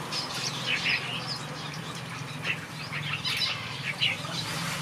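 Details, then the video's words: Backyard aviary finches: scattered high twittering chirps, some louder single notes, over a steady low hum. "Watch these finches sing a beautiful melody in my backyard"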